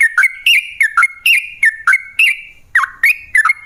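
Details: Yellow-vented bulbul singing to lure other bulbuls, with paired whistled notes repeated roughly every third of a second. The notes slur downward, and a short gap falls near the end.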